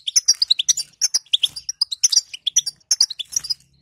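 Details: Female European goldfinch 'bitbita' chatter, played to prompt a silent male to sing: bright, high twittering notes in quick bursts, with tinkling trills and short pauses between phrases.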